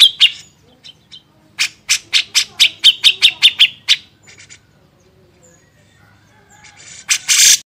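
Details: Master recording of a grey-cheeked bulbul for training songbirds: a burst of harsh notes, then a quick series of bright, sharp chips. A pause follows, ending in a loud raspy burst.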